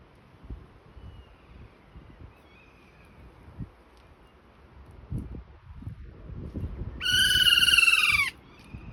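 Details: Endangered New Zealand kea, a mountain parrot, calling once near the end: a loud, ringing, nasal screech held about a second and dropping slightly, after several seconds of soft rustling and faint background noise.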